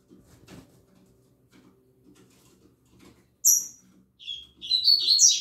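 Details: Caged double-collared seedeaters singing in the morning: after soft low tapping and knocking, a sharp high whistled note, then a rapid burst of high chirping, twittering phrases near the end.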